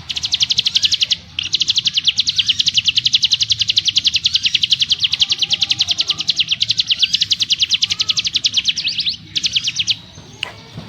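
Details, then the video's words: Mountain prinia in ngebrem mode, pouring out a long, dense, high buzzy trill of rapid repeated pulses, pausing once briefly, then adding one more short burst near the end. "Burung CIGUN ngebrem nembak rapat - ciblek gunung master suara TEGAS"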